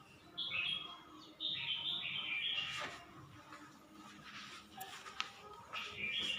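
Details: At Suan Phueng, Ratchaburi, a red-whiskered bulbul sings several cheerful warbled phrases, pausing between them, with scattered clicks and rustles and a faint constant background hiss.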